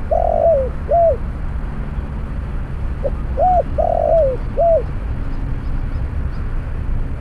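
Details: Spotted Dove near a snare cage set with a decoy bird for trapping, giving two full phrases: a drawn-out rolling coo followed by a short arched note, then a soft clipped coo, against steady low rumble.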